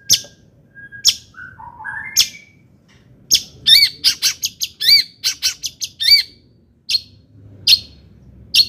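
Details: Long-tailed shrike song with mimicry, used to excite other shrikes: scattered sharp chips and low whistled phrases, then a fast burst of looping, wavering high notes, ending with spaced sharp chips.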